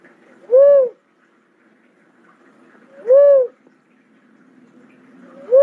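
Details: Cuckoo-dove giving low, mellow hooting notes, each a short arched tone that rises then falls, repeated about every two and a half seconds in a quiet setting.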